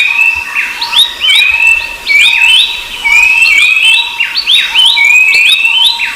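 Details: Rufous-browed babblers (Pellorneum capistratum) and other babblers give busy overlapping whistles: bright, upslurred and downslurred notes repeated rapidly, with a steady high whine running underneath throughout.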